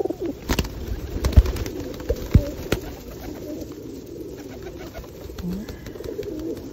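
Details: Feral pigeons being fed in rain at Osu Kannon in 2021 produce deep, throaty coos, one dipping phrase standing out near the end, amid thumps, pecking taps and rain noise.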